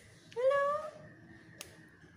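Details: Pet black-capped lory, a talkative bird, producing a single drawn-out tonal syllable that slides upward and then fades, followed by a sharp click.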